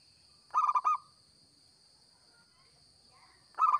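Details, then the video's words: Local zebra dove, a lively singer used as a lure for trapping, gives a quick phrase of four to five rich, clipped cooing notes, then a pause and a second phrase at the end, over a steady high electrical-sounding hum. "Perkutut Lokal Gacor‼️Cocok Buat Pikat BUNYI"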